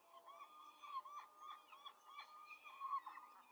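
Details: Quick feeding at a peregrine falcon nest in Rome on 5 May 2023, female feeding four chicks: a rapid run of short, rising-and-falling squeaky calls, several voices overlapping, over low steady background hum.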